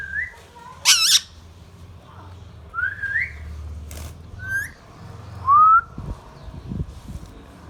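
Young rose-ringed parakeet giving short rising whistled notes, a harsh squawk and a few chirps over a faint low hum.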